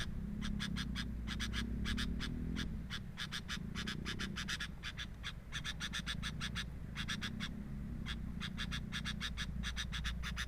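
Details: At the sooty-headed bulbul nest, long runs of quick scratchy pulses repeat about three times a second over a steady low hum, with short pauses between runs.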